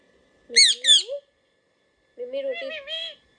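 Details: Pet parrot being trained to talk, taught to say "mummy"; two short harmonic vocal bursts, then a longer, wavering, speech-like phrase after a pause, indoors with no other sounds.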